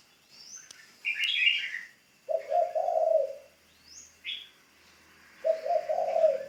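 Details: Spotted dove, a decoy bird in training, with two hoarse cooing phrases, while a separate bird adds loud higher chirps and short rising squeaks between them.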